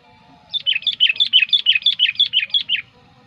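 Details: Lively sooty-headed bulbul calling used to lure wild bulbuls and to tutor other birds: a fast run of about thirteen sharp, clear chirps, roughly four per second, lasting over two seconds above a soft low background hum.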